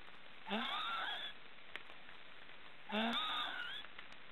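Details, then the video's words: In an Estonian forest nest, three black stork chicks snore. Two breathy, wheezing calls sweep upward with bright, buzzy upper tones and come about two and a half seconds apart. "Black storks are snoring"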